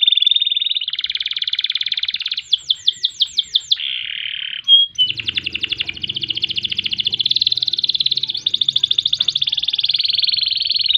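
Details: Long canary song used to tutor and stir up other birds: steady rolling trills, a short burst of fast descending sweeps, brief clicks, then more long rattling trill phrases, with a faint low rumble partway through.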